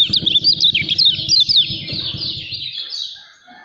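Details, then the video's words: Lemon-bellied white-eye, a caged bird promoted as a champion candidate, pouring out rapid high twitters that fade out after about two and a half seconds, leaving quiet. "KECIAL KUNING SUPER NGEJOS"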